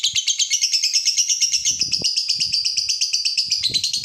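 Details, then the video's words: Chatty lovebird, used for tutoring and to rouse other lovebirds, pours out a rapid, pulsing chatter of raspy chirps, with a few faint low knocks and rustles beneath. "Pancingan lovebird terbaik bikin lovebird anda panas"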